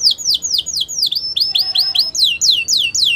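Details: Canary giving a clear series of loud, looping downslurred whistles, about three per second, with a few upward-curving notes in the middle.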